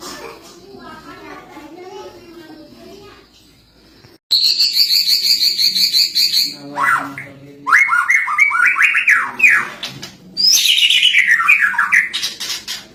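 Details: Lovebird training song with cililin-style filler: a quiet murmuring start, then an abrupt loud high, buzzy trill, followed by rapid chattering notes and a long descending twittered run.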